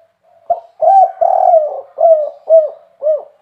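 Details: Single loud phrase from a spotted dove (tekukur) in the kuk 3 style: a soft lead-in note, two drawn-out throaty coos, then three short rounded coos at a steady pace, with no other sounds.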